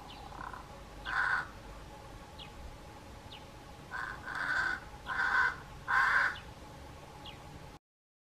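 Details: Strange calls of a pied crow: a series of loud, harsh, grating caws, one early and then four closely spaced ones roughly every second, with thin faint squeaks in between and a constant low background hum.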